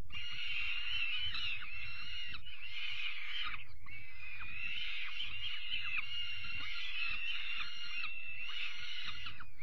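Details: Peregrine falcon nestlings being fed dinner, 5 May 2021, give a steady stream of grating, wheezy screams in overlapping phrases lasting a few seconds each, with low thumping noise underneath.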